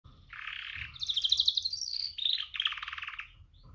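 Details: Female canary giving a mating call to attract males: bright chirps and fast buzzy trills, one high rapid trill in the middle, then a lower trill to finish. The background is quiet.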